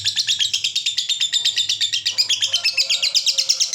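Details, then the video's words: Fighter-type lovebird giving its long ngekek song, kept as a tutor recording for young lovebirds; a fast, dense chattering trill of harsh high notes repeated several times a second, steady throughout, with a faint low hum underneath. "LOVEBIRD NGEKEK DURASI PANJANG"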